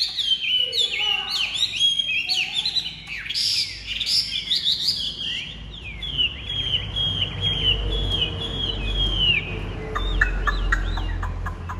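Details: A captive Chinese hwamei (Garrulax canorus), large-bodied with pure white wing feathers, pours out loud, rich, rapid and varied whistled phrases, then settles into long repeated ringing notes over a low background rumble; song.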